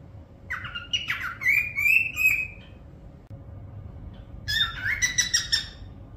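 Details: Parrot whistling: two bursts of clear, harmonic-rich whistled notes, the first sliding upward into a long steady tone, the second a rising swoop, with a quiet pause between and a low background hum.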